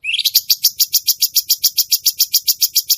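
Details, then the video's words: Cucak cungkok bulbul singing actively (gacor): an unbroken run of short, sharp, high chips repeated at a steady, fast rate of about three to four per second, opening with a brief rising note. "burung cucak cungkok gacor"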